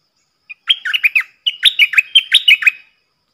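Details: Decoy stripe-throated bulbul in 'phleng boen' song for training young birds and attracting wild birds: two brisk phrases of liquid, downslurred whistled notes, about five notes each, nearly run together.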